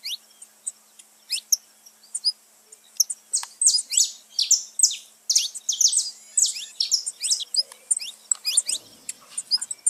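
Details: High, thin rising notes of a saffron finch open slowly, then give way to a lively, tightly packed series of bright chirps. The song is meant to excite pet birds.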